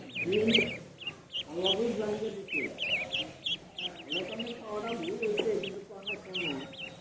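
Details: Duckling in a pond: a steady run of high, arched peeps, several each second and slightly rising then falling, over lower murmuring voices.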